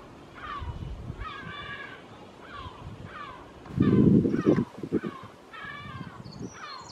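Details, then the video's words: Pair of Lesser black-backed gulls over a garden give harsh, agitated alarm calls about three a second while mobbing a Buzzard, with a burst of low rumbling noise midway through. "Pair of Lesser black-Backed Gulls mobbing Buzzard"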